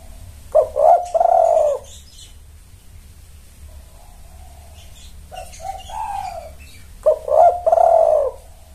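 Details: Calling spotted doves used as a lure for males: a strong, hoarse triple coo, a quiet stretch, a softer drawn-out coo, then another loud throaty coo phrase, with faint chirps behind.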